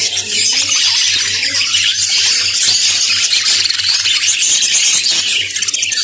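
A flock of budgerigars chatters nonstop, a dense wash of scratchy, high warbles and chirps.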